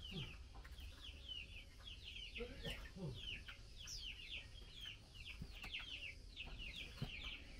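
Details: Female Chinese hwamei calling to the male while being fed mealworms: rapid series of short, downward-slurred chirps, repeated continuously with uneven spacing, over low background hum and occasional clicks.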